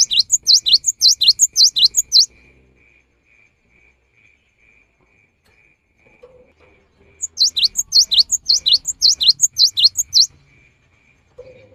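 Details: Cinereous tit singing vigorously, used as a rainy-season lure: two bursts of rapid, high rising whistled notes, paired and repeated about eight times each, with a silent pause between bursts and a faint steady hum throughout.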